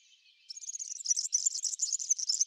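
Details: European serin visiting a backyard to feed on Brassica oleracea seeds, delivering a hurried, high-pitched sizzling jingle of tumbling metallic notes that starts after a faint thin note and runs on to the end.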